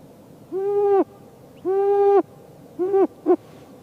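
Snowy owl giving four nasal, level-pitched calls: two half-second notes, then two shorter clipped ones, over a quiet background.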